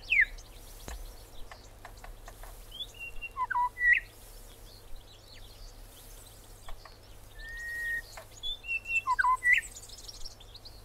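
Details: In Australia, a Grey Shrike-thrush gives rich, liquid whistled phrases twice, each with a long level whistle and sharp rising notes, over a steady low hum and faint clicks.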